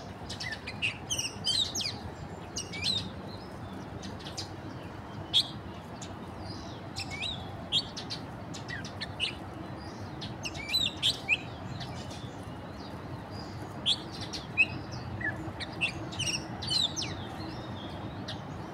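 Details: Pacific golden plovers, transit migrants/winter visitors, on mudflats of Deep Bay at Mai Po Nature Reserve, Hong Kong, 20 April 2025: short high whistled chirps, scattered and overlapping, over a steady rushing background.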